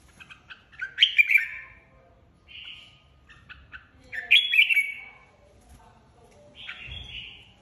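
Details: Competitive singing by a caged red-whiskered bulbul flock leader: three loud warbling, slightly slurred phrases spaced about three seconds apart, with softer clicks and chirps in the gaps.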